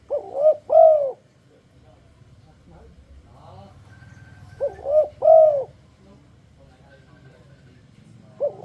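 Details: Turtledove enticing others to sing with its luring song: paired arched coos, one short and one longer, repeated with gaps of several seconds over a low background hum.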